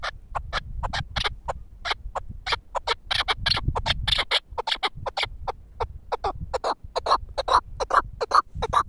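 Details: Pamir chukar partridge, a caged four-year-old bird used for hunting, cackling in a long, dense series of sharp, uneven clucks with some overlapping notes. Low thumps and rustling lie underneath.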